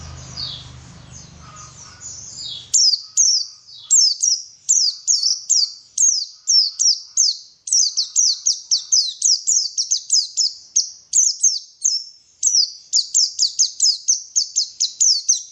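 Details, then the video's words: Lure song of a white-eye meant to make birds sing vigorously: after a soft start, a long, rapid, energetic stream of very high, sharp, downslurred chirps repeated almost without pause. "PANCINGAN BURUNG PLECI SUPAYA GACOR"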